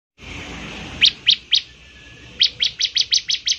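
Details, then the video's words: Bar-winged prinia in full song, giving a series of sharp high chips: three spaced notes, a pause, then a quicker run of about seven, over a steady faint hiss. "ciblek semi gacor, suaranya yang KHAS bikin ciblek semi IKUT bunyi"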